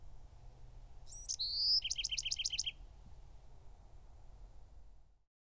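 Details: One song from a Bewick's wren: quick introductory chips and a bright whistled note followed by a fast, even trill of doubled notes, then quiet fading to silence.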